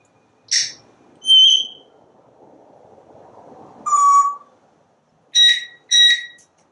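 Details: Parrot talking and whistling from a screened back porch while it watches squirrels and birds: one short clicky note, then a level whistle, a lower steady whistle and two quick high whistled notes.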